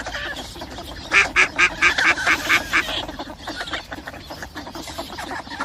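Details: Single mallard series of about eight coarse, nasal quacks in quick rhythm. It rises out of a murmur of softer duck calls and fades back into faint quacking and background noise.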